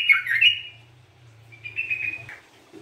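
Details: Sooty-headed bulbul singing actively, offered as a lure and therapy song: a burst of scratchy, warbled notes, a short pause, then a wavering whistled phrase ending in a downslurred note, with a low background hum.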